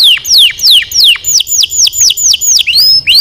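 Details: Training song from a canary, made of loud downward-sweeping whistled notes repeated about three times a second in a steady, ringing tour with faint upper overtones.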